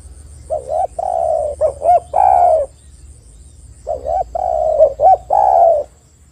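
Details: Lure call of a spotted dove for prompting other doves to sing: two full coo phrases, each with low hooked notes, a long warbling coo and a descending final note. A faint electronic whine is present throughout.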